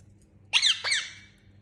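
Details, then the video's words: A pet Indian ringneck (rose-ringed parakeet) gives two quick, harsh, rising squawks about a third of a second apart, with a quiet room hum underneath. "Talking Parrot Making Sound"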